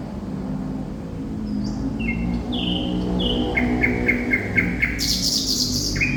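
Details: Thrush nightingale, locally Sikatan Londo, sings a string of descending whistles, then a rhythmic run of repeated clipped notes about four per second, capped by a loud harsh rasp; constant droning hum in the background.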